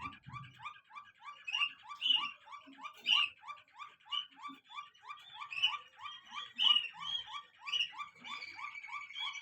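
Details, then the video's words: A Waterslager singing canary sings a fast, steady roll of low, bubbling notes, about four a second, topped by brighter warbled phrases, with a few faint room noises. "waterslager singing canary"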